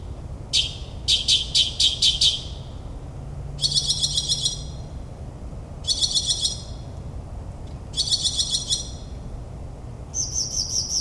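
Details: At midnight in New Jersey suburbs a northern mockingbird mimics other birds: repeated bursts of fast high stuttering chips, each burst lasting about a second and separated by short pauses, ending on a higher buzzy trill.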